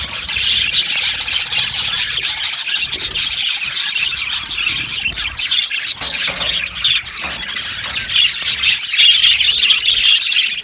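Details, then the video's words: Many budgerigars chattering in an aviary colony, busy overlapping high chirps and scratchy warbling twitters, continuous and fairly loud throughout. "Budgies chirping sounds"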